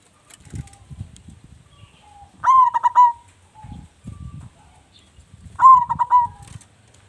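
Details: Local zebra dove, a loud and lively singer kept as a lure bird, delivering two stuttering cooing phrases over low rumbling background noise and soft thumps.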